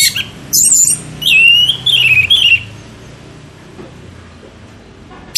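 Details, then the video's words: Orange-headed thrush singing as a lure: a few short bursts of high whistled notes, one gliding downward in a wavering line, then quiet hum. "pancingan anis merah gacor ngeplong 100% jitu"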